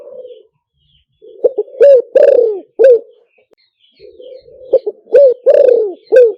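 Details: Lure recording of a spotted dove for a loudspeaker: two full phrases of hoarse coos, each opening with a soft low murmur and short notes, then a long falling coo and a short ending coo.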